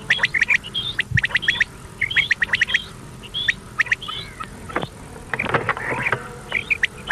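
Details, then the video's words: Common quail calls from an old cassette recording meant to be played at night until morning: short sharp notes in quick bursts, some with upward flicks, over steady hiss and scattered clicks. "Common Quail Sound | Batair ki awaz"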